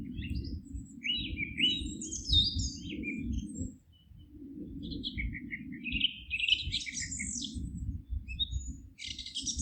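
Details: Forest birdsong recorded at GPS 48.772993, 19.157495: several birds chirping and trilling in bright, high bursts, with a brief lull near the middle, above continuous low-pitched background rumble.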